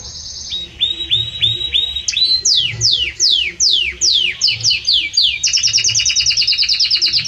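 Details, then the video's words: Loud, warm song of a Belgian canary: evenly repeated hooked whistles, a run of falling sweeps, then a rapid high buzzy trill of many short notes. "Canto forte e muito quente deste Espetacular Canário Belga | Canary Singing"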